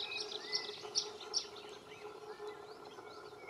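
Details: Canary Islands chiffchaff in Valleseco, Gran Canaria, May 2022, giving three sharp, high notes about half a second apart, over a busy background of other birds' chirps and faint insect hum.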